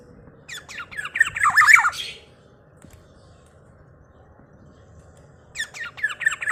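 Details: Loud Black-naped oriole, whose call is said to anger rival orioles: a stuttering run of scratchy notes swells into a strained, wavering squawk. Steady low hum fills a pause before another ragged burst of notes begins.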